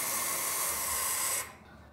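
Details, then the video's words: A barn owl at a nest in a church tower at Quincuncá, Farias Brito, Ceará, Brazil, 6 July 2019, gives one harsh, breathy hiss, a steady rasping rush over a second long, then quiet. "Coruja Suindara - Rasga Mortalha"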